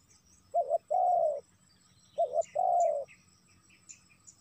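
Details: Two phrases of a spotted dove call used to lure wild doves, each a short two-note coo followed by a longer, slurred coo, with scattered faint chirps afterward.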